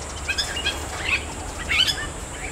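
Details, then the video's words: Bali myna calling in the wild in a Balinese forest: a series of brief, sharp chirps and squeaky notes spaced irregularly, ending in a louder slurred rising note, over a steady high hiss of forest background. "Burung JALAK BALI di hutan part 2 ~ BALI STARLING in the wild"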